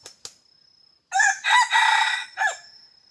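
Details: A red junglefowl used as a hunting decoy gives a loud, rough crow after two faint clicks. The crow has several rasping segments and ends in a short falling note. A thin high insect whine runs steadily behind it.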